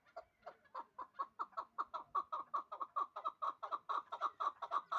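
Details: Two-year-old hybrid partridge kept in Dushanbe, bred for fighting and hunting, gives a rhythmic run of clucking chuk notes, about four a second, growing louder and steadier as the series goes on.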